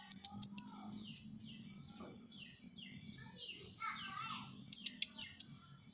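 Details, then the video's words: Two short runs of four and five thin, high-pitched ticks come from a Van Hasselt's sunbird (Leptocoma sperata), a popular kept songbird. Faint sliding whistles and chirps fill the gap between them. "masteran KONIN dacok ngobra ngobra"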